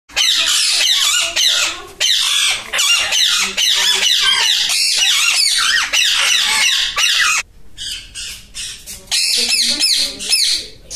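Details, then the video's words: A group of Alexandrine parakeets squawking loudly and harshly in quick, overlapping bursts of raspy, high-pitched calls, the chorus pausing briefly near the end. "Alexandrine parakeet group"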